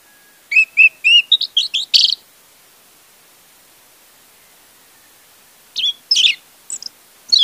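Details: Orange-headed thrush singing, played to coax a non-singing thrush into song: a fast stutter of rising whistled notes ends in a loud burst, then a long pause before more scratchy, varied phrases.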